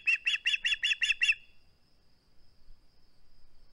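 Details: Osprey on a nest filmed by a live cam on 21 August 2020, holding on to a flounder, gives seven quick, shrill piping notes in just over a second, then falls silent over a faint electronic hum.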